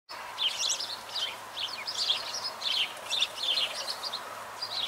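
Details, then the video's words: Sparrows chirping in a busy flock, short bright chirps tumbling over one another in an unbroken chatter, with a faint low hum underneath. "Świergot wróbli"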